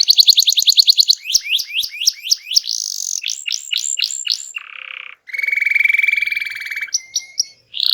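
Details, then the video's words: Lively canary song meant to draw silent birds into singing. Quick falling whistles are followed by a row of upswept notes, a low buzzy burst, and a long even rattling trill ending in short chirps. "Kicau Burung Kenari Gacor Ngegas untuk Pancing Burung Diem"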